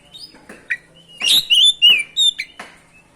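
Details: Oriental magpie-robin (kacer) in steady 'ngerol' singing meant to provoke other kacer: quick chips lead into a rich run of loud, varied whistles and trills, then a few short sharp notes.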